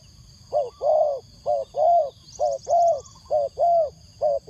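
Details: Cooing spotted dove kept as a decoy to call wild doves: rounded low notes in pairs, a clipped coo followed by a fuller sustained one, repeated steadily, with a faint high chirping trill briefly in the background.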